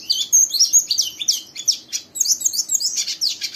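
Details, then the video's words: Young oriental white-eye singing a rapid, high, twittering warble, a coarse nearly continuous chatter of thin chirps and trills, prompting a second white-eye to join in, with a faint low hum behind. "Burung Pleci Muda Gacor merangsang Pleci Bahan ikut Ngeriwik Sampai Buka paruh"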